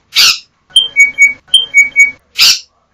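Yellow-backed Oriole giving two matching phrases of clear whistles, a higher note followed by two lower ones. Short hissy rushing bursts come at the start and end.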